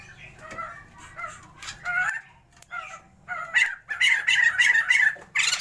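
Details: Sumatran white-crested laughingthrushes, a captive pair being bred, start with scattered harsh notes that build into a fast series of loud, rasping cackles toward the end, a low hum underneath.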